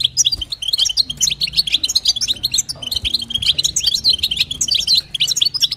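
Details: Female European goldfinch calling to stimulate a male: rapid, liquid twittering of bright, high chirps and short trills, delivered almost without pause, with a faint low hum underneath.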